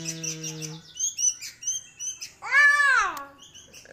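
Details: Pet sooty-headed bulbul (kutilang) nestling aged one month: a steady low humming tone opens, followed by soft high chirps and one strong arched, downward-sweeping call, then quieter chirps.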